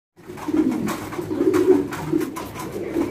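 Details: Caged fancy pigeons, domestic breeds of the rock dove, breeding at a pigeon farm in India: low, continuous rolling cooing with scattered clicks and knocks from the cage.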